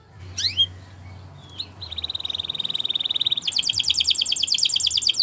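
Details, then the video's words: Canary training song: a few sharp downslurred notes, a soft flat trill building into a loud, fast, rolling trill of repeated notes. "Best Canary Bird Sounds!! Suitable for your canary training"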